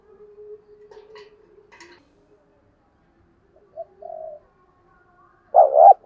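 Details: Spotted dove decoy calling to wild doves: faint humming and soft notes at first, then a quiet short coo, and a loud hollow coo phrase at the very end.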